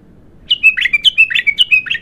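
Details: Raw, untrained bulbul in its first bout of singing: a quick run of about eight bright, slurred chirps alternating high and lower, each rising then dropping, packed into under two seconds in a quiet setting.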